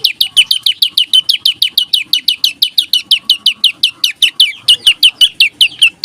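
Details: Olive-backed tailorbird in the 'nembak rapet, ngebreen' song style: a loud, continuous burst of sharp high downslurred notes repeated about five times per second, sustained for six seconds without a pause.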